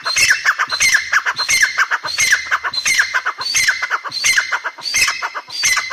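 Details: Grey francolin calling continuously, a harsh ringing phrase repeated about every two-thirds of a second, each made of several rapid scratchy notes, with no pauses throughout.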